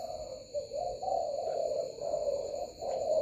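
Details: Spotted doves at a dove farm in Binh Duong, Vietnam, cooing late at night with the lights on, many singing like a beehive: low, steady, hollow coos run almost without a break over a constant electrical hum.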